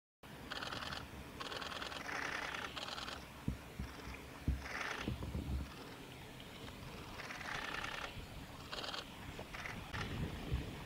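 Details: A male Japanese robin at Yanagisawa Pass on 5 May 2017 gives short, dry rattling trills in bursts about a second apart, over low rumbling background noise and a few soft knocks.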